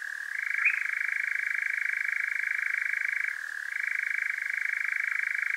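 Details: Nocturnal European nightjar in Devon, UK, recorded via parabolic mic on a Zoom H5, giving a powerful unbroken churr, a fast even rattle sustained for seconds with one short drop in pitch midway.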